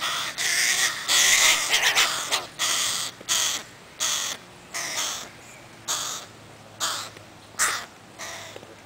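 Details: Begging crow chicks staying close to their mother in Helsinki, Finland, on 20 July 2011, giving a rapid run of about a dozen hoarse, grating caws, the first few loudest and merging, then evenly spaced rasping calls.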